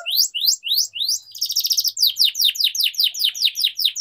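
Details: Canary song for teaching young canaries to sing: slow rising whistles, a short buzzy trill, then a run of sharp descending chirps in quick even succession.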